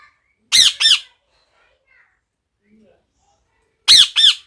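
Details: Pet parrot indoors giving two short harsh squawks, a long silence, then two more squawks, each with stacked ringing harmonics.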